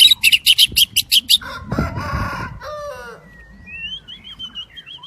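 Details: Daklak white-rumped shama in the windy season: a fast series of sharp repeated clicks, a harsh low rumbling burst, then soft descending whistles and a thin drawn-out high whistle.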